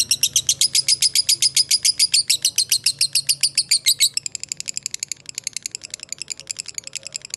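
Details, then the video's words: Long chattering ngekek of a fighter lovebird, used to get other lovebirds to respond: loud, rapid, even chirps for about four seconds, then a quieter, faster, thinner stutter continues to the end. "Dengarkan Suara Lovebird ini dijamin ikutan Nyaut Ngekek,Pancingan Lovebird Fighter."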